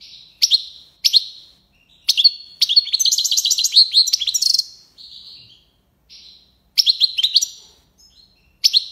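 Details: Algerian goldfinch in the tiwawati song style from Algiers: sharp chirps, then a long sequence of rapid jingling twitters, followed by scattered chirps and short twittering bursts.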